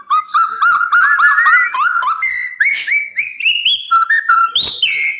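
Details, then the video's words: A white-rumped shama kept in captive breeding delivers a varied whistled song: quick looping notes that climb stepwise in pitch, then clear sustained tones and a final high flourish. "Murai Batu Di Penangkaran"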